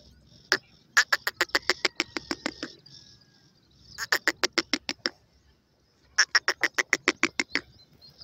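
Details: Young grey francolin: three bursts of rapid, sharp, evenly spaced notes, about ten per burst, each burst lasting roughly one and a half seconds and separated by short pauses, over a faint hiss.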